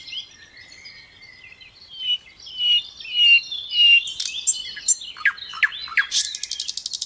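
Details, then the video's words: Little pied flycatcher in gacor song with a dense, varied fill-in: soft high warbling whistles, then loud sharp chips and descending notes in quick succession, ending in a fast rattle. "Sikatan Londo Gacor isian MEWAH MASTERAN semua BURUNG TEMBAKAN RAPAT"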